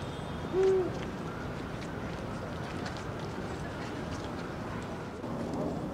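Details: Eurasian eagle-owl, 16 February 2023, with one deep, slightly arched hoot early on, followed by several seconds of low hum and faint clicks.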